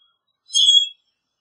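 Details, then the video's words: A single brief squeaky, metallic squeal of a common grackle, lasting under half a second, high and slightly wavering, alone against silence. "Common Grackle Song! Common Grackle call!"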